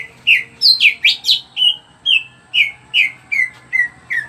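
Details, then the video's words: Greater green leafbird in full song, used to coax other birds into singing: a string of about a dozen clear whistled notes, some rising steeply, others slurred downward, spaced roughly every third of a second. "burung cuca ijo gacor. bagus buat pancingan biar burung cepat bunyi."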